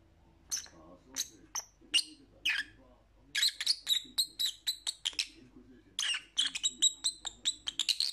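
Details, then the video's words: Captive lovebirds calling: scattered sharp high chirps at first, then rapid bursts of clipped squeaky notes several per second, with faint low murmuring underneath. "Lovebird Sounds"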